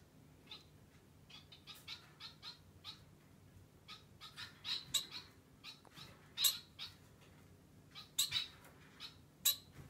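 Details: Society finch kept as a pet, giving short, bright chirps with sharp peaks, scattered unevenly through the clip and growing louder and more frequent toward the end, over a low steady indoor hum.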